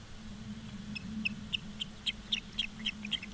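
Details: Ospreys at a nest in Charlo, Montana, on 15 August: faint, thin, high chirping whistles repeated about four times a second over a steady low hum and light background noise.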